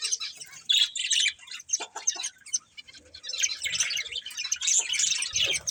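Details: Scratchy, high-pitched budgerigar chatter from a breeding pair, a steady stream of fast chirps and warbles that swells louder in the second half.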